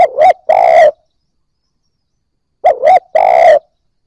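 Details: Spotted dove coo used to stimulate newly caught birds: two phrases about 2.6 seconds apart, each a quick wavering double note followed by a long, even, slightly buzzy coo, no other sounds.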